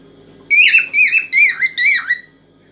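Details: Cockatiel song to rouse a female for mating: four quick, warbling whistled phrases, each bending up and down in pitch, ending in a fading tail.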